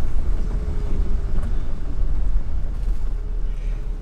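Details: A heavy, steady low rumble like wind or a passing vehicle fills the recording, with no animal calls.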